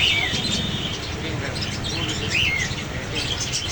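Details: Parrot calling twice, each a short, upslurred then falling screech, at the start and midway, over constant low-pitched background noise.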